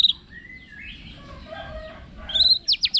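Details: White-rumped shama song: a sharp high note, then soft slurred whistles gliding downward, followed by a loud burst of rapid high chips at the end.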